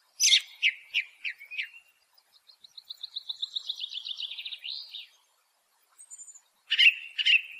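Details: Ring ouzel from the German Alps and uplands singing a string of short scratchy notes, then a long rapid series of high chattering notes, ending with a brief pause and another burst of harsh notes.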